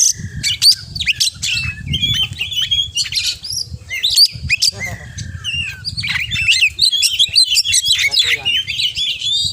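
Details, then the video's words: 'Kacer gacor' oriental magpie-robin pouring out 'full isian' imitations: jumbled whistles, squawky notes and rattling trills in long dense runs, with low background rumble. "Kacer Gacor Full Isian"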